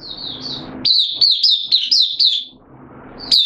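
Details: Oriental white-eye, a caged hobby bird, song session dated 8 September 2022 with form slightly lowered: a burst of sharp, high chirps about every quarter second, framed by quieter stretches of low hum.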